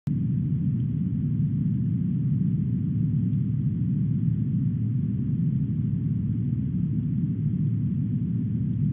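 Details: A steady low rumble, like a vehicle engine or wind, fills the recording throughout, with no animal calls heard.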